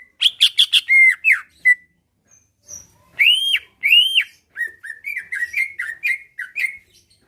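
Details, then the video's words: A caged Greater Green Leafbird sings energetically, a song meant to draw replies and fighting from other birds: a stuttering cluster of rapid notes, then arched whistles and a chattering string of short slurred phrases, ending softly. "Cucak ijo lain liat dan dengar kicauannya bakal nyaut+gacor+tarung"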